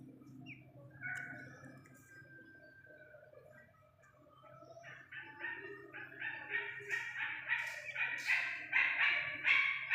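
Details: Iranian partridge chick: after a few scattered thin notes, a long series of rough, buzzy calls builds up, repeated quickly and growing steadily louder over the second half.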